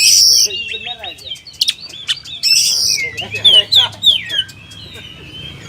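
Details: Kacer, the oriental magpie-robin, delivering rapid whistled song: falling slurred notes, quick chips and harsh bursts in a busy stream of high phrases.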